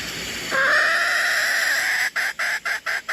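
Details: Decoy red junglefowl crowing: a long, steady, strained note that then breaks into a run of short, evenly chopped pulses at the same pitch, with a faint constant hiss behind.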